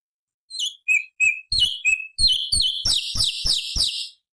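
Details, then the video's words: Cucak cungkok bulbul singing its high-octave variation song, used as training material for other songbirds: sliding whistled notes dropping in pitch, then a fast run of harsh, rattling chirps repeated about three times a second. "Masteran Cucak Cungkok Istimewa ~ Suara Asli Hutan Materi Variasi Oktaf tinggi"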